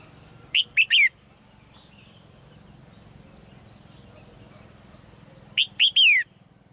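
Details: Caged female bird delivers two three-note whistled phrases roughly five seconds apart, the final note of each sliding downward, over a steady low hum.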